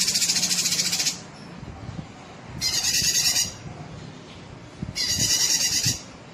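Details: Sooty-headed bulbul, a recording for training competition songbirds: three long, harsh, rapidly pulsed buzzy bursts, each about a second long, separated by quiet gaps of roughly one to two seconds.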